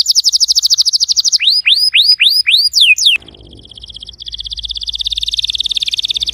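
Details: Canary song for getting a silent canary singing: a rapid trill, then five loud rising whistled swoops, a short pause with faint noise, and a softer fast trill.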